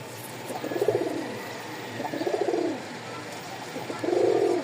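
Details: Pigeons in a pigeon market, giving three low, rolling, throaty coos about a second long each, set against steady market background noise.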